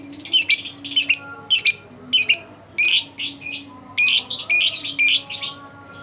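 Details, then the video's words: Champion contest lovebird, first place at a President's Cup competition, pouring out loud, harsh, rapid chattering bursts in close clusters, almost continuous, over a faint background hum. "Burung lovebird juara1 piala persiden"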